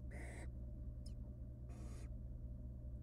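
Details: Two drawn-out hissing rasps from wild barn owl nestlings, fed bits of rabbit by the female in a nest box, separated by a tiny high chirp; low steady hum throughout.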